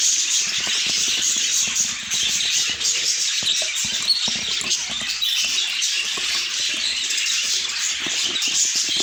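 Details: Budgerigars warbling and chirping all at once in a dense, hissy chorus, with tapping and rustling sounds scattered through it.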